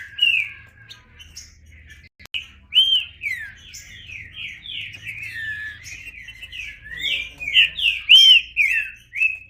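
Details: Green-winged saltator in song: a brief whistle, a short break, then a long fast series of downward-slurred whistled notes with a few brighter pure whistles near the end.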